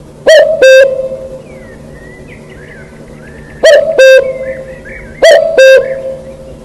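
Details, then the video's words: Wild cuckoo calling a loud, low two-note "cu-coo", the second note slightly lower, given three times with pauses of over a second, while faint chirps of other birds sound in the background. "Wild bird-cuckoo-what a beautiful voice"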